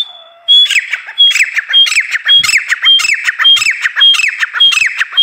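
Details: Female grey francolin gives a brief whistle, then a run of loud, harsh, shrill notes with clear tonal accents. The notes are repeated rhythmically, about twice a second, for nine or ten calls.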